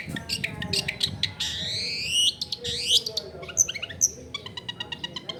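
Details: Long-tailed shrike in lively song, played to get silent shrikes to answer and sing along; varied chirps, rising slurred whistles and a squeaky double note over a low murmur of household and street noise.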